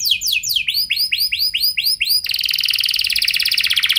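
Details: Canary singing a cengkok mewah lure with long shots, meant to make other canaries answer: arched whistled notes repeated about four per second, then an abrupt switch into a fast, dense, buzzy rolling trill.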